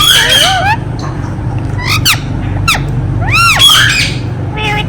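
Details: Ringneck parrot gives repeated arched, screechy squawks in quick clusters separated by short gaps, with a low hum beneath.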